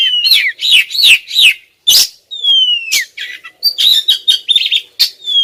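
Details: Persistent calls of a female white-rumped shama aimed at a male: a run of four rapid swooping chirps, a harsh burst, then a long clear descending whistle and buzzy trilled notes.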